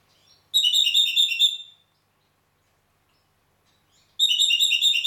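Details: Red-rumped parakeet in Heraklion, Crete: two bursts of rapid, trilled whistled notes, high and bright with ringing overtones, the first lasting over a second, the second starting near the end, with silence between.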